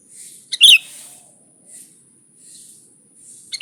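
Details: Sooty-headed bulbul, original lively song used to draw in bulbuls: one loud, bubbly chirp, then quiet with faint rustling and another note starting at the end.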